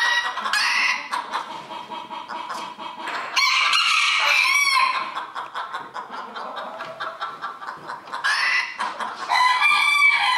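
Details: Roosters at a 2022 rooster-crowing event at Villers-la-Ville, crowing in long, harsh, drawn-out overlapping calls, with busy clucking from other chickens throughout.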